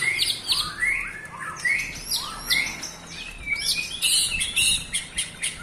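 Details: White-rumped shama song meant to provoke other shamas: clear, varied whistled phrases rising and falling, some slurred upward, followed by a burst of sharp high chirps and twitters, with steady background noise outdoors.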